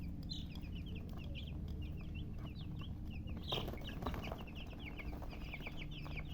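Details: Baby chicks chirping: many high, short downward peeps overlapping in a dense chorus, with a steady low hum beneath and a brief scuffling noise midway.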